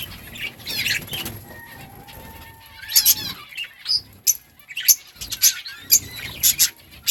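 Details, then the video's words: Several budgerigars chirping back and forth to one another: quick, scratchy warbled chirps and sharp high notes in irregular bursts, growing busier and louder in the second half, over a faint low hum. "Budgies parrot chirping sounds parakeet talking to each other"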